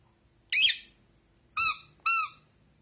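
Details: A pet Rosy-faced lovebird inside a small room calls back to a toy duck. It gives one loud, scratchy chirp, then two ringing harmonic squeaks from the toy follow.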